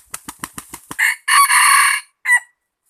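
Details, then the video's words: Rooster flapping its wings in six quick beats, then crowing: a short rising opening note, a long, steady, strident harmonic phrase, and a brief closing note after a pause. "Qaib qug tuaj zoo heev lawm"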